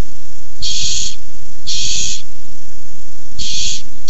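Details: Barn owls fighting over a tiny mouse on 6-4-15 give three loud, noisy screeches spaced irregularly, each a rough hiss under half a second, with dull knocks between.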